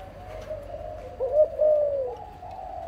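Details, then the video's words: Parent dove of a breeding pair giving a single low cooing phrase: a short hooked note, then a longer smooth coo that drops slightly at the end, over a steady low droning hum. "BỐ MẸ CHIM 🐦 CU"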